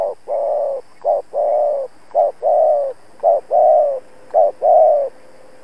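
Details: Decoy spotted dove cooing to provoke rival birds into answering, as used in trapping: steady low coos, a short note then a long purring note, repeated five times at a regular pace of roughly one per second.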